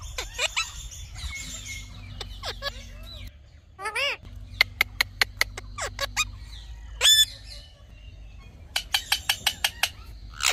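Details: Indian ringneck parrot talking in fits: scattered clicks, arched harmonic vocal sounds and quick click runs, with a low steady hum in the background.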